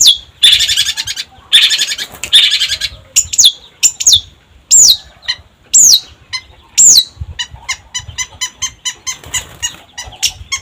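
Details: Long-tailed shrike singing vigorously: harsh raspy bursts open, then clear downward-slurred whistles, then a fast run of short high ticking notes.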